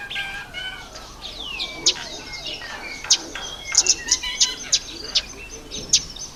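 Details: Red bishop in breeding season, October to November. Soft descending whistled notes open, followed by a row of sharp high ticks about every half second mixed with short chirps.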